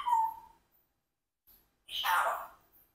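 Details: Talking Congo African grey parrot kept as a pet, aged four: a short falling tonal syllable, a pause, then a louder, harsher speech-like burst with breathy upper tones.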